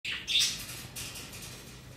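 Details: Pet rainbow lorikeet during a fight with another bird: two quick, harsh, rasping screeches at the start, then a fainter scratchy note and quiet indoor background.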